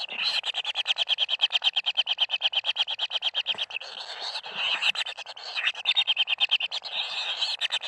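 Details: Common kingfisher chicks at the nest during feeding: a fast, dense train of dry, buzzy ticking notes, about three per second and steady throughout, high-pitched and harsh, with no other clear sounds.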